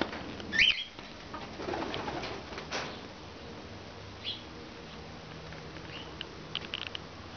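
A cockatiel gives one sharp, rising whistled call, followed by a few faint, scattered chirps in a quiet indoor room, with a brief flutter of wings.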